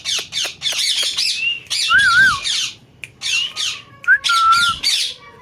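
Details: Talking parrot giving harsh raspy squawks in quick bursts, mixed with a few clear wavering whistles and a long level whistled note.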